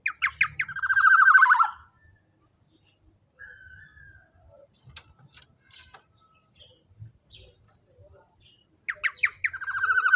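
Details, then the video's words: Black-naped oriole calling loudly and energetically: a run of sharp falling notes and a rapid buzzy nasal series, a long quieter stretch with faint chirps and clicks, then the same harsh pattern starts again. "Suara Burung KEPODANG EMAS Gacor LANTANG super KERAS"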